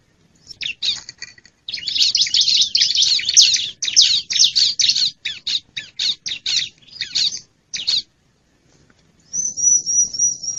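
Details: Wild bar-winged prinia sound used as a lure to attract wild birds: dense bursts of harsh, buzzy, scratchy notes in rapid irregular series, then a short pause and a thin, high, wavering whistled trill at the end.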